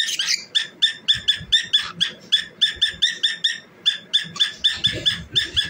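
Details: Cockatiel singing as it dances, giving a steady stream of clipped, scratchy chirps repeated several times a second, opening with a louder noisy note, faint low knocks beneath.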